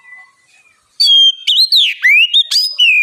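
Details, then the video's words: Oriental magpie-robin singing as a lure for other birds: after a faint soft start, a loud two-second phrase of clear whistles, a long descending slur and rising sweeps. "Pancingan kacer gacor ngeplong masteran kacer bahan lekas bunyi nyaut!"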